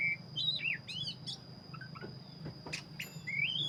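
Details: Oriental magpie-robin (black-breasted) singing busily: rising and falling whistled slurs, quick doubled chips and a few sharp clicks, ending on an upward-sweeping whistle, with a persistent thin high tone and low background hum.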